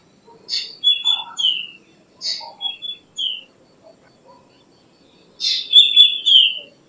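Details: Black drongo (Dicrurus macrocercus) giving repeated three-part phrases of a rasping note and descending whistles, a softer pair of low notes between, then a louder final harsh-and-whistle burst; little background noise.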